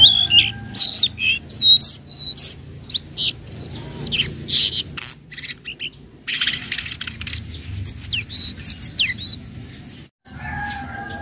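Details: A spotted flowerpecker (tledekan laut) gives lure calls for bird training: rapid run of high thin chips and slurred whistles, tapering into scattered notes, with a softer low note near the end.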